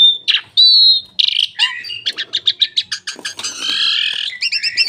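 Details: Asian pied starling delivering loud pure whistles followed by a rapid series of clipped chattering notes, a buzzy drawn-out phrase and a closing burst of quick repeated chirps.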